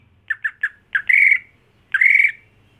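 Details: Greater green leafbird, a home-raised contest bird, giving three short harsh chacks, then two longer buzzy rasping squawks, each held about a third of a second, in a quiet room.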